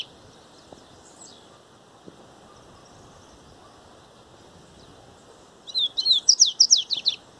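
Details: Coleiro baiano (double-collared seedeater) giving a grego-style song phrase after a long quiet stretch: faint high notes early, then a burst of quick, sharp, high chirps rapidly repeated near the end, with soft background hiss.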